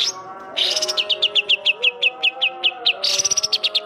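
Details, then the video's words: A greater green leafbird in full song, performing imitated kapas tembak phrases. Crisp, descending chip notes are repeated quickly and evenly, with dense trilled bursts at the start and end, and a constant low humming tone underneath. "cucak ijo gacor isian burung kapas tembak"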